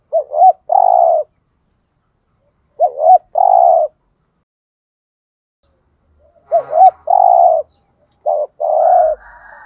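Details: Cooing spotted dove, 'thúc gù' style used to draw wild doves. Four phrases repeat every few seconds, each a twisting two-part note then a held low coo; a faint broadband noise appears near the end.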